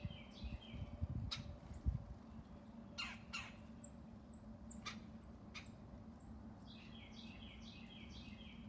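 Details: Red northern cardinal singing in the early morning alongside a flock of bluebirds: short series of quick down-slurred whistled notes at the start and again near the end, mixed with sharp clicks and other high chirps over a low background rumble.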